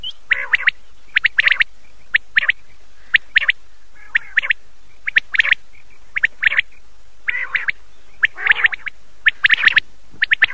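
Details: Common quail calling at night, from an old cassette tape: short, sharp notes clustered in quick groups of two or three, repeated at uneven intervals of about a second, with faint overlapping calls in the background.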